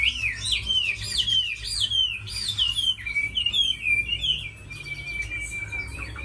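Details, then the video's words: Captive Chinese hwamei, tame and kept for fighting and song, repeats loud upward-swooping whistles roughly twice a second, then slides into a long even whistled note, over a low hum. "Mi thuần đấu tốt hót hay"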